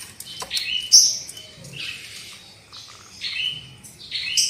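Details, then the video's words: Lure recording of black-winged myna song meant to get birds singing loudly, with mixed whistles, descending slurred notes and scratchy chatter at varying volume. "SUARA PANCINGAN JALAK KEBO AGAR CEPAT NGOCEH KERAS"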